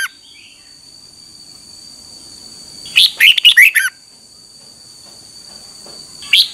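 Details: Red-whiskered bulbul morning song recorded for training, 2021: after a quiet start, one quick phrase of five bright, warbled, falling notes, then the start of another at the very end; a steady thin high tone runs throughout.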